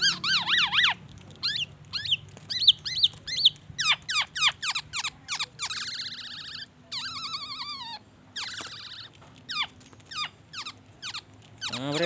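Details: Black-naped oriole singing actively, stuffed with copied white-rumped shama phrases: quick zigzag whistles and sweeping slurred notes, several drawn-out warbling passages mid-way, over a faint steady hum, with a rising squeal at the close.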